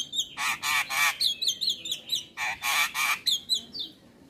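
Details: Black-winged myna (jalak kebo) song for training mynas, played in the morning: broad harsh screeching squawks alternating with short high whistled notes, about two bursts per second, loud and insistent.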